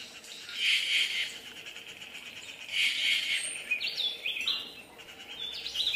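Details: Yucatan jay (Cyanocorax yucatanicus) calling: harsh, broad bursts around one second long, then a series of shorter sliding, squeaky notes, over a steady hiss of background noise.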